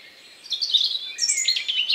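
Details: Countryside bird singing just before nightfall on the evening of May 2, 2020; after a quiet moment, a bright rapid twittering phrase bursts out, high and fluttering, with quick trills near the end.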